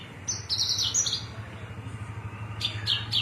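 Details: Cilacap Javan bush lark delivering cing ciu song: rapid high chattering phrases of buzzy, stuttered notes, a short gap, then three crisp descending chips, with a low engine-like hum underneath.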